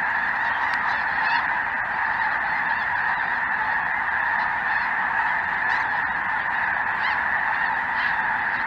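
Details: Chilly afternoon, southern Indiana, 23 January 2023: a few snow geese and greater white-fronted geese, likely a Ross's goose too, filling the sky. Softer, steady din of countless overlapping honks, occasional clearer single calls breaking through.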